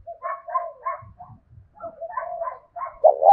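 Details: Spotted dove kept as a decoy, 'thổ đồng' voice, challenging a rival male to fight: a string of soft, low, hoarse coos with faint thumps, closing on the start of a louder burred coo.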